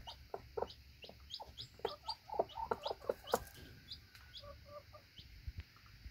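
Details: Newly hatched chick about one day old and its mother hen eating scattered feed outside the nesting box; soft clucks and short high peeps come in quick irregular series, with pecking taps and light rustling.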